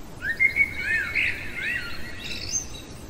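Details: Night-time song of a common blackbird: a string of mellow, gliding whistles rising and falling, closing with a thin high squeaky twitter, against a faint steady hum.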